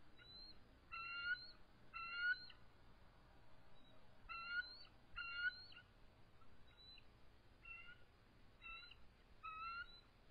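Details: Resident eagle pair at their nest in the evening of March 23, 2014, calling and trilling in defensive posture against an adult intruder; bursts of stuttered high whistled notes in clusters every one to two seconds, with quieter fainter notes between.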